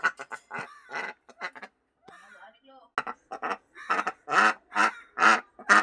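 A duck gives loud, nasal quacks, several in quick succession at about two per second, with a person's cheerful speech and a laugh between them.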